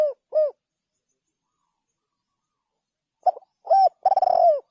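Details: Spotted dove cooing: two short, rounded mid-pitched coos, then after a pause of nearly three seconds a stuttering group of notes ending in one longer, slightly falling coo. No other sounds.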